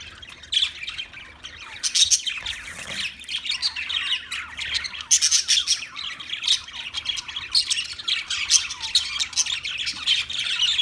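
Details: Budgerigar warbling continuously, with fast scratchy chatter broken by sharp, high squeaks and chirps, staying busy and dense throughout.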